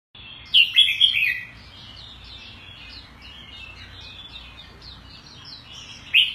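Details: Caged Oriental white-eye (mata puteh), a new intake kept in Singapore on a pellet and fruit diet, recorded 16 January 2018. Loud high twittered bursts open the song, then a soft continuous chattering warble, ending with another sharp burst.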